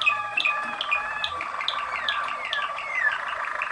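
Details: Waterslager (Malinois) canary from Kumanovo, Macedonia, giving crisp repeated chips alternating with slurred descending whistles over a continuous soft trill.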